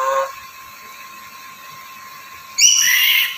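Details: Black-capped lory, a bird also noted for talking, gives a short harsh note at the start, then a loud buzzy, noisy squawk near the end after a quiet pause.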